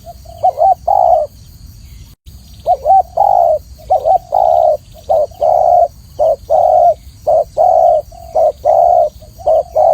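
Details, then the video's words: Clear-voiced spotted dove, or tekukur, in a training recording: a run of soft low coos, short wobbling notes alternating with longer flat hoots, nearly one per second, with a steady faint background hiss. "masteran burung tekukur atau spotted dove suara jernih"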